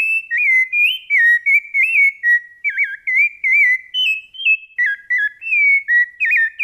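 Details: Rufous-bellied thrush, Brumado style, singing its fluted song: clear whistled phrases, rich and warbling, with looping slurred notes and short pauses, delivered steadily without other sounds.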